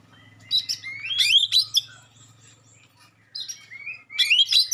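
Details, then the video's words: Magpie-robin using sharp shots and clear notes to provoke other magpie-robins: rising whistled glides and harsh bursts in separate phrases over a low, steady buzzing hum. "suara tembakan tajam juga suara jernih bikin kacer lain langsung respon ngobra"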